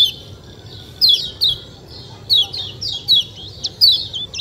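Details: Kecial kuning, a white-eye, giving scattered high, downslurred chirps in short groups about every half second to second, with quiet spells between and a low background hum.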